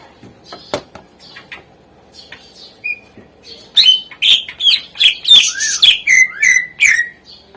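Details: Greater green leafbird master song to stimulate lazy birds to sing; after faint scattered ticks, a loud series of about ten sharp, falling whistled notes repeated in quick rhythm.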